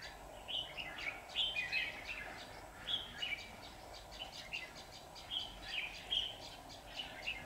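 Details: Dueling song of a red-whiskered bulbul used as a decoy in trapping on 23 September 2019, aimed at wild rivals; somewhat distant, choppy warbled phrases repeated steadily throughout, over a hissy background.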